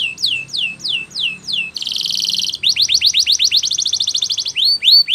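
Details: Spanish Timbrado canary singing for training: slow falling whistled notes, a dense buzzy section, then a rapid rattling trill and closing upward slurs.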